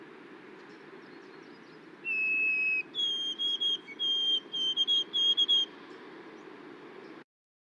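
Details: White-throated Sparrow (Zonotrichia albicollis) song: one long, pure, sweet whistle, then a jump higher into a slow run of repeated whistled notes, some monotone and some rising or falling, over a low steady rumble.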